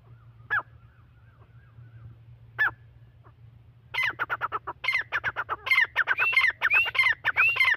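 Partridge: two isolated harsh notes, then a fast, grating chatter of rising, squealing notes, several each second, over a steady low hum.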